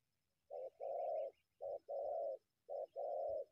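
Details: Wild spotted dove that keeps coming out of bushes to attack a decoy; three clear phrases, each a short coo followed by a longer, even, mellow coo, about one second apart.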